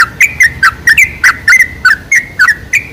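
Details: Bubbly chattering song of a sooty-headed bulbul, played as a lure to make bulbuls call, roughly ten slurred notes in three seconds, each with a short downward-then-upward bend.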